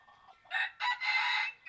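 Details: Chicken crowing: three loud harsh bursts, the last drawn out for about half a second, after a quiet low murmur at the start.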